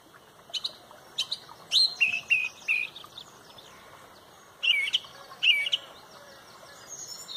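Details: Dawn chorus at sunrise in Pontrobert, led by a loud song thrush: dense bursts of chirpy, scratchy phrases, then two similar sharp whistled figures repeated a second apart, with other birds faintly behind.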